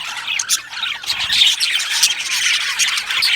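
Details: Budgerigars in an aviary colony giving harsher squawking chirps, uneven bursts of raspy high notes rising and falling over a background of softer chatter.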